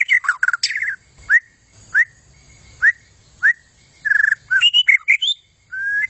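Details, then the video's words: A white-rumped shama in a 'gacor' display. A burst of varied whistles is followed by single upslurred whistles spaced about half a second apart, then a warbled phrase and a long flat whistle. "Inilah aksi gacor super maut dari murai buntut panjang"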